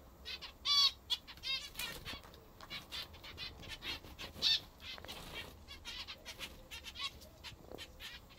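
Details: Pet zebra finches eating their favourite food give short nasal, harmonic calls, scattered irregularly, with a louder pair near the start and another midway, among dry pecking clicks and rustling.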